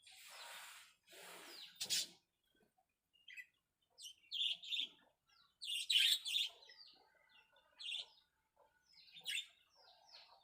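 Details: Zebra finches in a small minimalist aviary, busy carrying nest material: short, bright, high chirps come in scattered clusters, some doubled or tripled, with soft rustling and fluttering noises at the start.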